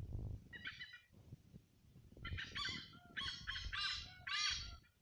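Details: Hornbills in Vadavali village, Rajapur, Ratnagiri in the Konkan give loud, harsh, nasal cackling calls in several bursts, some overlapping, over low background rumble.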